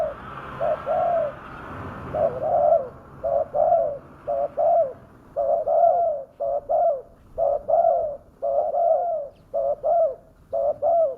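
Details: Lure recording of a spotted dove with a fierce voice for calling in wild doves: faint hiss at first, then rhythmic double coos, short note plus longer mellow note, about once a second throughout.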